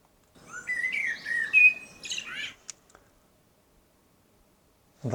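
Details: Common blackbird song recorded outdoors on a Zoom F3 with Micbooster Clippy microphones, with other bird sounds beneath it: about two seconds of fluty, warbling phrases mixed with higher squeaky notes, then near silence and a short low thump at the end.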